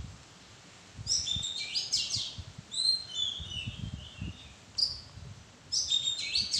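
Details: Oriental magpie-robin calling from a bower of madan trees: bursts of bright, high whistled and chirping phrases with sharp notes, separated by short pauses, over a low background rumble.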